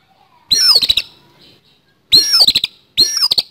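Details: Harsh-style fighting song of an oriental magpie-robin: three loud grating bursts, each a falling whistle layered with clicking ticks, the last two close together.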